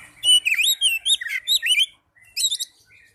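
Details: Young and silent oriental magpie-robins are meant to be coaxed into singing by this rich, fast song: looping, slurred whistles and warbled notes run together for about two seconds, then a brief pause and a shorter, higher phrase.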